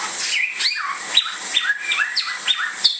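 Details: Bare-throated whistler (samyong), a native Indonesian bird, giving quick whistled notes that slide down from about the middle range, with short sharp upper accents and a steady high hiss behind.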